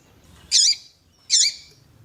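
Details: Female double-collared seedeater calling to stimulate a male's song: two loud squeaky high notes about three quarters of a second apart.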